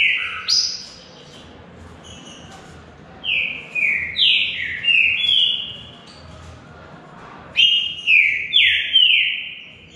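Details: Competing in a singing contest, a green-winged saltator gives two bursts of rich whistled song, each made of four or five falling, slurred notes run together, separated by a short silence.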